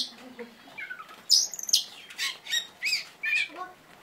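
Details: Oriental magpie-robin delivering its sharp "tembakan" song: scattered low chirps building into loud harsh rasping squawks and buzzy notes in rapid bursts, a few short twittering whistles between them.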